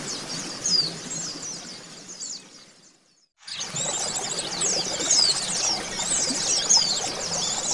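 Oriental white-eyes fill the air with thin, high twittering and rapid chirps in a dense, overlapping chatter, broken once by a brief silent gap.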